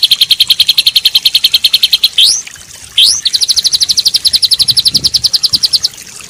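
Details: White-rumped shama singing for training a stressed bird that no longer sings: a long quick high trill, two upward-sweeping whistles, then another extended trill of about four notes per second or faster.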